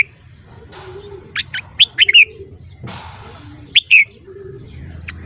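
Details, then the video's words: Red-whiskered bulbul morning song for voice training. Short chirps lead into a quick twisting whistled phrase, then another brief phrase seconds later. A steady low hum and a soft hiss sit underneath. "Luyện giọng chào mào hót sáng"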